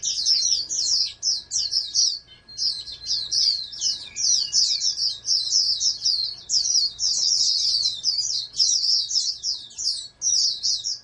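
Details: Captive-bred oriental white-eye, a national contest prospect, sustains a long run of shrill, rapidly chattering song for over ten seconds with only brief hesitations, over a light steady hum.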